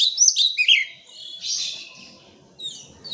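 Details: Oriental magpie-robin lure song, played to coax birds reluctant to sing into answering: quick high chirps and sweeping notes in the first second, a softer buzzy phrase, then bright notes returning at the end.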